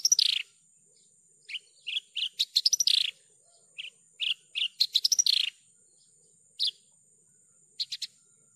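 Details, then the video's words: Javan bush lark singing steadily, recorded clean as a tutor and lure song: scattered short chirps and buzzy notes, then quick stuttering bursts, separated by pauses, over a faint constant high electronic whine. "PANCINGAN/MASTERAN JERNIH BRANJANGAN GACOR...."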